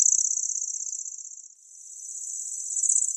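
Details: Grasshopper warbler of the genus Locustella giving a continuous high, insect-like reeling trill that dips briefly in loudness midway, then swells again; no other sounds.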